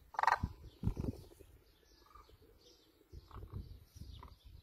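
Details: Demoiselle crane, known locally as koonj, recorded in Pakistan: one loud, harsh, ringing call opens the recording, followed by a few fainter short calls over steady low rumbling noise.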